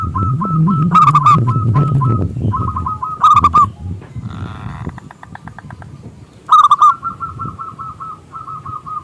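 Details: Zebra dove singing as a lure for other doves, a local bird with a big voice. Bursts of quick, rolling staccato coos recur between runs of evenly spaced soft notes, over low rumbling background noise.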